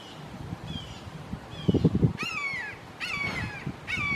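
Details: Red-shouldered hawks, three calling long and loud in a Florida backyard, recorded on a Canon SX70HS. Faint early calls give way to loud descending, harmonic-rich screams repeated about every second, with low thumping noises underneath.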